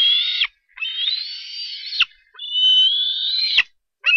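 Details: Bald eagle eaglet at a Harrison Bay nest on 07-10-2015, squeeing as a parent arrives with a fish: long, high, whistled squeals that rise slightly and end in sharp drops, repeated about every one and a half seconds.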